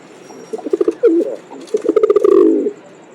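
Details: Pigeon cooing: a quick run of soft throbbing pulses, then a longer low rolling coo that swells and fades, over faint background hiss.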